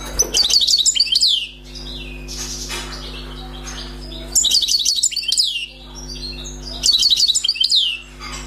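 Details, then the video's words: Wild European goldfinch, newly caught, singing in three bursts of rapid, high, silvery twittering with slurred buzzy notes, each burst roughly a second and a half, gaps filled with faint rustles and a steady low hum. "غناء حسون بري صيد جديد"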